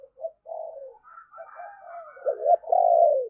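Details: Decoy spotted dove with a prized deep 'thunder' voice style (giọng sấm bầu), used to lure wild doves, gives low mellow coos: short soft notes building to two louder, drawn-out hollow coos at the end.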